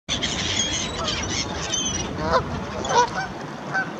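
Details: In wet, windy, almost deserted Hyde Park, a flock of Canada geese crossing the road toward someone who might have bread honk in a loose, overlapping chorus, with nasal calls coming irregularly over broad rushing noise.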